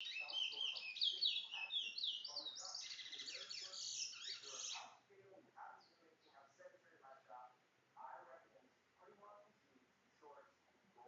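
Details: Chestnut-bellied seed-finch (towa towa), a bringle bird linked to Guyana, sings a rapid, jumbled run of high buzzy and twittering notes for about five seconds. Low human voices follow.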